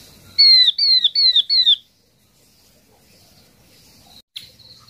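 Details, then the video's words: Yellow-eyed babbler calling to draw in its flock: four strong, clear whistles, each falling in pitch, in a fast run at the start, then quiet with a single click. "Chim hoạ mi mắt vàng mồi gọi đàn chuẩn 100%"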